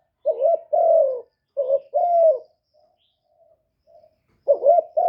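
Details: Spotted dove kept as a lure for wild doves, recorded without background noise; low mellow coos come in paired phrases, a brief quavering note followed by a drawn-out descending one, with faint soft notes between.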